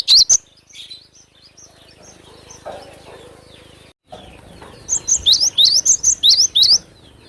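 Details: Cinereous tit lure song in vigorous style: a brief loud note at the start, a quieter stretch with faint calls, then a run of rapid, high, sweeping whistled notes near the end.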